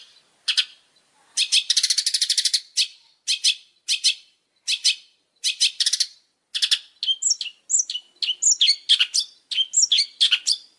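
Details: Long-tailed shrike master training song from a champion bird: short scratchy chattering bursts with gaps, a rapid buzzy rattle, then a quicker run of sharp mixed notes. Clear recording, no background noise.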